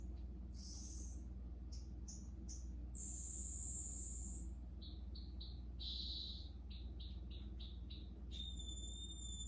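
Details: Newly arrived Green-backed twinspots in quarantine sing varied high-pitched phrases: buzzy notes, a long bright trill, runs of quick descending chips and a harmonic whistle at the end, over a low hum.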